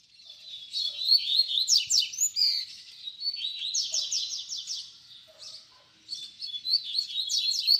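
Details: Double-collared seedeater in baderna song for young birds to learn from: three high, energetic bursts of rapid chirps, trills and sweeping notes separated by brief lulls, with faint lower tones in the background.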